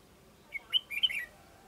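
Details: Red-whiskered bulbul from a male and female pair under training as decoy birds, the female tamer and the male still wild. A quick phrase of five or six clear, whistled notes, rising then tumbling, lasting under a second against soft background noise.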